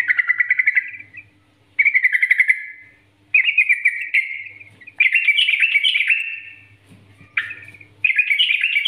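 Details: Master song of a yellow-vented bulbul for coaxing others into song: five or six short gurgling, liquid phrases, each fading off, separated by gaps of about half a second, with a faint background hum.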